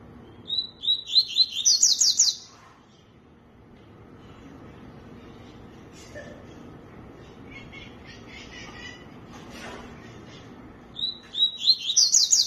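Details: Song of a tui-tui: rapid clusters of bright, high chirps sliding downward, sung at the opening and again near the close, with faint scattered chirps and soft rural background between bursts.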